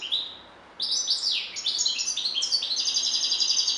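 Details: European goldfinch: a lone high note, a brief pause, then rapid liquid twittering that runs into a sustained buzzy trill.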